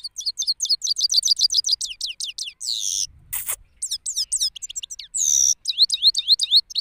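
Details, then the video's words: Male European goldfinch in song outdoors in Parachinar, Pakistan: quick strings of high, down-slurred chirps, broken by a harsh buzzy note and one sharp click, then more fast twittering. "Male Goldfinch singing from Pakistan"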